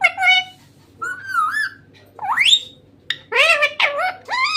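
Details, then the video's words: Green parrot talking: quick run of clear whistled notes, one sweeping sharply upward, followed by bursts of wavering speech-like syllables in fast succession, with a faint low hum underneath. "Talking parrot"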